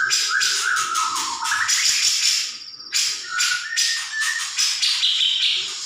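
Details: Grey-cheeked bulbul in a training recording that makes birds respond; loud varied phrases of harsh chatter mixed with clear whistled notes rising and falling, some sliding upward, with a short pause midway.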